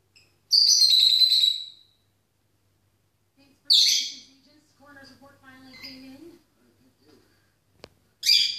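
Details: Female peach-faced lovebird at home singing to the TV: a long shrill screech of over a second, then further sharp bursts, with television voices and a single click in the gaps.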